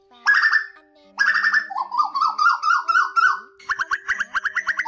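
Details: Asian koel male and female calls used to lure migrating birds into night nets, August 2024: loud rasping bursts, then a quick run of falling bubbly notes climbing in pitch, and a rapid chattering series.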